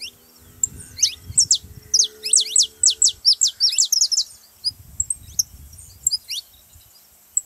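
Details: Saffron finch singing, recorded to stir a quiet canary into song: quick series of piercing, high, downward-slurred notes strung together for about four seconds, then scattered single chirps, with faint low background noise.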